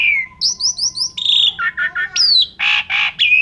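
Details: Asian pied starling in lively 'gacor' song full of 'isian' filler phrases, used as a trigger for other birds: a high falling note, four quick upslurred whistles, a flat buzzy tone, three low chucks, a sharp rising note, then harsh raspy bursts.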